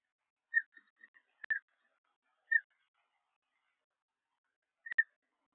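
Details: Second newly hatched peregrine falcon chick at a nest in Liempde, 19 April 2021: a few short, thin peeping notes, spaced irregularly with long silent gaps, plus some sharp clicks.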